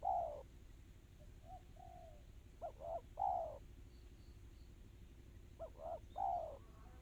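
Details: Spotted dove song in the fast, tight 'kristal' style: a falling coo, soft quiet notes, then two phrases of two brief coos and a longer descending coo. Faint high chirping and a low hum fill the background.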